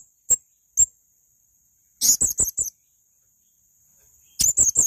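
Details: Two isolated piercing ticks, then a tight burst of four shrill high chirps and another similar burst at the end, from a male blue-crowned hanging parrot.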